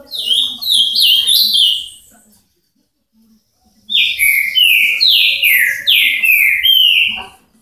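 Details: Ultramarine grosbeak singing, from Paraná: two bright whistled phrases of sliding notes that fall in pitch, each note repeated in quick succession, separated by a silent pause of about one and a half seconds; faint low background hum.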